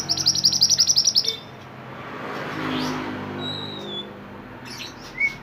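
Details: Mantenan bird from the mountains, recorded as tutoring song for songbirds, opening with a rapid dry rattling trill for about a second, then a quiet stretch with one thin whistle and a short rising note at the end.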